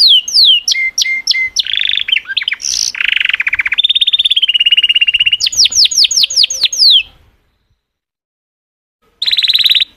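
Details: Singing canary giving a varied song of rapid descending whistled sweeps, buzzy trills and rolling tours, broken by a silent pause of about two seconds before a final bright trill.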